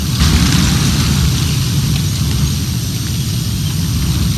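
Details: A steady, loud low engine drone like an aircraft or idling vehicle fills the whole recording, with no animal calls heard.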